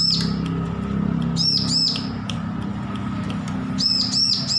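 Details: Newly weaned bar-winged prinia learning to sing: scattered clicks, then groups of two and three high, arched ringing chirps, over persistent low rumble and hum.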